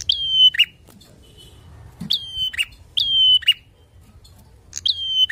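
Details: Bar-winged prinia singing to provoke rivals: four separate phrases, each a high chip leading into a steady whistle and a lower buzzy note, with short gaps of silence between them.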